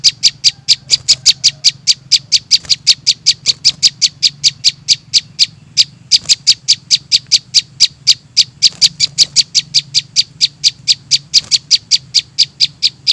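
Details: Prinia young in a bird-lure recording, giving a long unbroken chatter of sharp high chips about four per second, with a steady low hum throughout.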